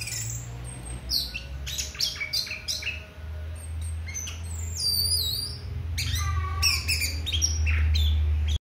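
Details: Orange-headed thrush in rich, varied song used as a lure to make other thrushes sing: quick high whistles, sliding notes and short rattles in close bursts, over a steady low electrical hum.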